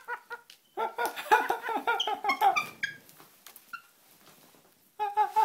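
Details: A Black-headed caique laughs in a rushed, chattering run of harsh harmonic notes that trails off into quiet squeaks, then bursts back with a short run of clear hooting notes at the end.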